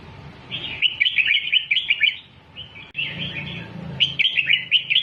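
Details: A red-whiskered bulbul sings a doubled-style teaching song for young birds: two lively bursts of rapid, chirpy whistled notes separated by a brief pause and a softer phrase, over a faint low hum.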